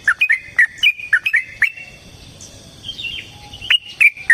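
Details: Lure fighting song of a Yellow-vented bulbul, long and emotional in style: a lively chatter of short rising and falling whistled notes in quick bursts, a brief pause, then more sliding notes.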